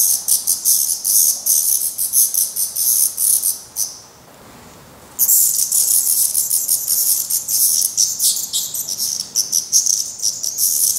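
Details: Black redstart young at a nest in Portugal, already making first flight attempts but still fed by the parents. Dense runs of sharp, hissy, very high notes pulse steadily, with a brief silent gap near the middle.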